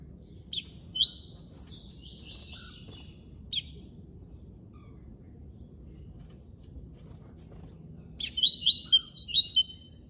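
Double-collared seedeater song: bursts of quick, bright, high warbled notes, a short phrase near the start and a longer one at the end, over a low steady hum.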